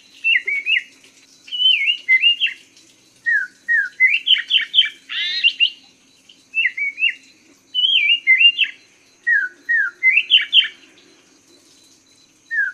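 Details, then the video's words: Hwamei singing a tutor song for cage birds: loud varied whistled phrases in short bursts, some notes doubled, others swept downward, with brief gaps between phrases and a thin constant high tone underneath. "Masteran Burung Poksay Mandarin"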